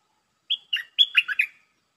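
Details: Red-breasted parakeet calling as a decoy to lure a wild resident bird: a one-second run of five or six clear whistled notes, some level and some dipping, delivered quickly with brief gaps.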